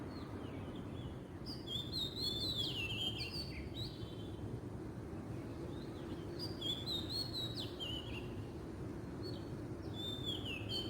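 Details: Wild Oriental magpie-robin singing: varied clear whistled phrases, sliding and warbling, in two bursts separated by a short pause, over a steady low rumbling background noise.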